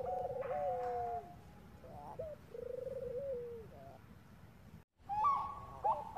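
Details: Bangkok zebra dove, a female calling to a male as a lure: quavering coo phrases with downward slides, a brief silence, then louder bending notes over steady background hiss.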